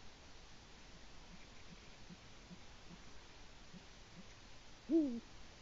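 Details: Deep single hoot from a male Eurasian eagle-owl visiting its nest in Latvia at about 6:22 am, 5 March 2018, calling to its mate; a low, falling note near the end after soft faint ticks.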